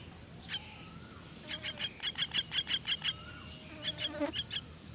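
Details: Myna chicks being fed give a fast string of about ten harsh, grating begging notes that grow louder, then a shorter second series; soft whistled notes sound faintly before and after.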